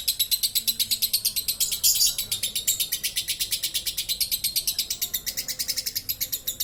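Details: Champion lovebird singing a long, nonstop 'ngekek' trill with an open beak, in a colony: rapid, high, rattling chatter pulsing about three times per second, unbroken through the whole clip, with faint background noise.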